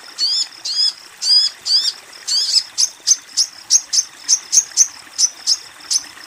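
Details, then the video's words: A female crimson sunbird calls a male, used to coax untrained or silent birds; several drawn-out squeaky sweeping notes, then a brisk series of sharp, high, evenly spaced chirps. "Sogon BETINA Memanggil Sogon JANTAN"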